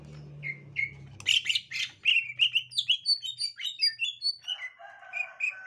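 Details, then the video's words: Green leafbird, gotri type, responding to a young wild green leafbird: two soft whistles over a low hum, then a rapid stream of varied chirps and slurred whistles, ending with a buzzy trilled phrase. "Tingkah Cucak Ijo Gotri Saat Di Temukan Cucak Ijo Muda Hutan"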